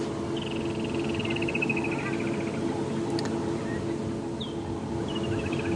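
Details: Woodland Kingfisher, a migrant that will head back north and then go silent, calling in the background at sunrise on a safari drive: a high trilled series descending slowly over about two seconds, then short repeats, over steady engine hum.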